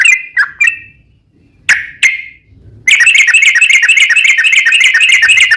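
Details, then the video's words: Yellow-vented bulbul giving a long rapid trill ('ropel panjang') used to draw other bulbuls into song: a few separate slurred notes with pauses, then a dense, fast, evenly repeated bright trill running to the end. "trucukan gacor ROPEL PANJANG buat pancingan trucukan agar bunyi"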